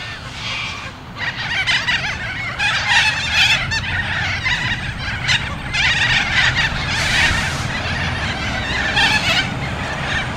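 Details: Young cockatoo begging while an adult feeds it, giving loud, harsh, raspy screeches in bursts of about one to one and a half seconds, repeated several times over steady outdoor background noise.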